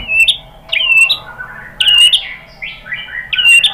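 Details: White-rumped shama lure song meant to provoke rival birds: short, bright, harsh-edged whistled phrases, each with a quick upward flick, repeated about every second with softer notes between.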